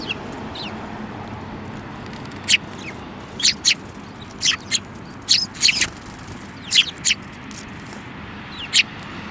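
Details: A group of sparrows including a yellow-beaked one, 5 February 2018, calling with crisp, evenly loud chirps, often doubled, roughly every second, against a low rumbling background.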